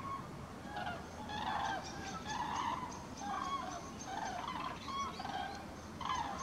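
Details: Several common cranes calling as they migrate over Halle, Westphalia, Germany, on 5 March 2018. Bugling trumpet notes come in irregular bursts of roughly one per second from a calling flock.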